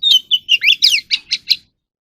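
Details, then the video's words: Oriental magpie-robin singing for voice training: a quick run of clear whistles followed by rapid twisting slurs and four evenly spaced, punchy notes at the end. "kacer alam | choè than luyện giọng || Choè than kích bổi ra giọng เสียงนกกางเขนบ้าน"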